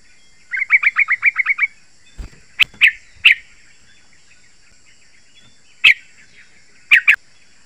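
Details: Yellow-vented bulbul with a rapid string of eight sharp notes, followed by scattered single sharp notes mixed with a few clicks. The song serves as a lure to draw other bulbuls to sing.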